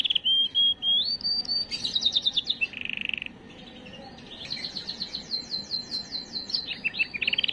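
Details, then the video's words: Canary song for exciting females: level whistles rising in steps, a fast rattle, a brief buzzy trill, a short pause, then long runs of rapid repeated slurred notes. "اقوى تغريد كناري للتسميع وتجهيز وتهييج الاناث"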